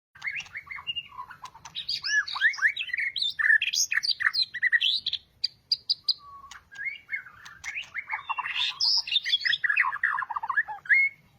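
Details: Caged white-rumped shama singing just after two months of moulting: a dense, rich run of varied whistles, slurs and chattering notes, broken by a short pause midway before another busy burst of song.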